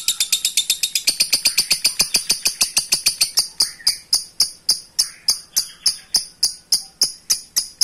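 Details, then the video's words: Lovebird calling a rival in long ngekek style, a quick harsh chatter that steadily slows to separate, evenly timed high chips. "LOVEBIRD APAPUN LANGSUNG NYAUT IKUTAN NGEKEK PANJANG JIKA DENGAR SUARA INI"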